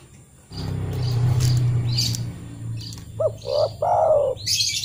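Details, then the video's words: Spotted dove call meant to draw other doves into singing: a loud low rumble and high chirps fill the first half, then one phrase of two short notes and a longer falling coo, followed by more high chirping. "TEKUKUR TAK KUNJUNG BUNYI PUTAR SUARA TEKUKUR INI"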